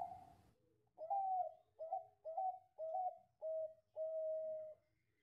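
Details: Perkutut Bangkok zebra dove singing in cengkok style, with a strong front phrase and a drawn-out ending: six clear coos of rising then level pitch, the last one long and steady.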